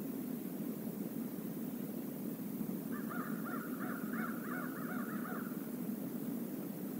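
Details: Crows from a flock visiting the stream area at the Decorah North eagle nest, live camera, 28 November 2021: a rapid run of hoarse caws lasting almost three seconds, rising from steady low rushing noise.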